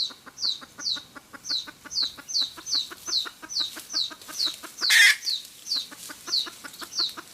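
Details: Cackling red junglefowl hen, the sound used for trapping lures: steady repeated clucks with high slurred tops, briefly interrupted near the middle by one loud harsh burst from another bird.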